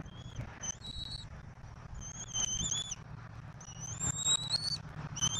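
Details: Bald eaglet being fed at a Southwest Florida nest, 15 March 2024, after both parents bring turtles. High, thin, whistled calls, each a long level or gently rising note, repeated in quick series over a steady low rumble.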